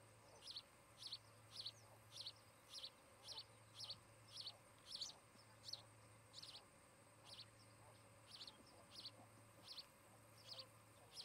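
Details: Osprey couple at their nest in Charlo, Montana, recorded by a fixed nest camera on an August 2018 afternoon; repeated high thin chirps, around twenty in eleven seconds, sharp and evenly pitched, with a steady low drone.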